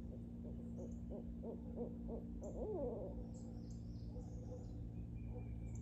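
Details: One of two wild barred owls on an active morning in a backyard nature preserve: a series of about six evenly spaced low hoots, then a wavering, squiggling call, faint over a steady low hum with thin high bird chirps.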